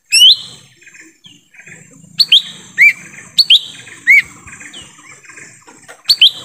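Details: Lesser green leafbird calling in forest, used as a lure for wild birds: clear upslurred whistles in quick pairs and triplets, separated by a short pause, with a constant high-pitched hum behind.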